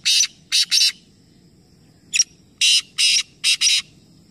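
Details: Black francolins, three birds calling together in a competition at Nawabshah, Pakistan, give rapid harsh rasping notes in groups of three, then after a brief pause a sharp note followed by four more grating bursts; low faint background rumble.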